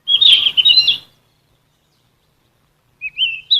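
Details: Sikatan emas, a Ficedula flycatcher, in a training recording for songbirds: a busy, rapid chattering phrase, silence, then rising whistled notes.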